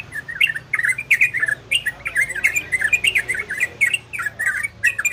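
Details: Orange-spotted bulbul in ropel and garudo song, played to bring listening birds into breeding condition: short gurgling, rising-and-falling phrases repeated in close succession, slightly noisy background.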